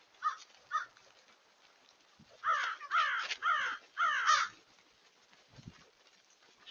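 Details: Crows in a large group give loud, rasping caws: two short caws first, then a run of five hoarse, overlapping caws close together, with a faint murmur of more crows behind.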